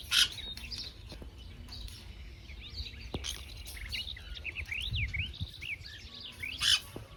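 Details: Sun conure, also called pineapple conure, calling: a busy run of short whistled chirps, many swooping up and down, with a few louder sharp bursts near the start and end over soft background noise.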